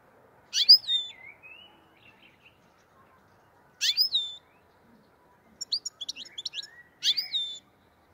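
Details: Uzbek black-headed goldfinch from Andijan, Kuva and Fergana. Three loud sharp slurred notes come roughly three seconds apart, each trailing into soft whistles, with a quick run of tiny ticking twitters near the end.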